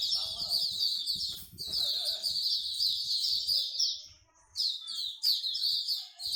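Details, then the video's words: Songbirds gathered at a bird singing corner in Singapore sing a thick stream of high chirps and trills, pausing briefly near the end before bursting back in; low background sounds beneath. "Bird Singing Corner"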